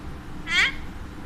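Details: A pet Alexandrine parakeet talking to a mirror indoors gives a single short, nasal, arching note lasting about a quarter second, against a low background hum.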